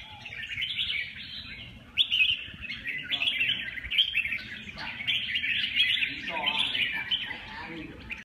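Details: Red-whiskered bulbul delivering short bursts of bright chirpy warbling separated by brief gaps, with a sharp click early on and quiet voices beneath.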